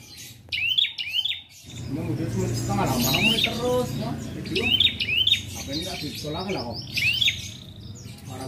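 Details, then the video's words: Captive prinia kept in a collection, singing in the prolific two-beat style: sharp rising whistled notes in pairs, repeated several times, over people talking and low background rumble. "Prenjak Gacor 2 Ketukan"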